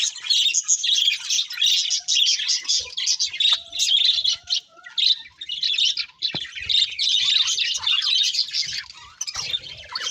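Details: Budgies singing as they eat, a flock of pet birds producing a busy, unbroken stream of high chirps and scratchy warbles that rises and dips in short bursts over ten seconds.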